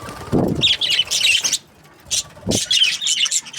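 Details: Budgerigars in breeding pairs. A low thud and wing-flutter sound opens, then raspy warbled chatter runs for about a second, breaks into silence, and resumes as a steady stream of buzzy chirps.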